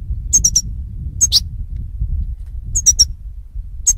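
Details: European goldfinch sound used to encourage goldfinches to sing: short clusters of two or three sharp, very high chirps about once a second, with silence between and a faint low background rumble.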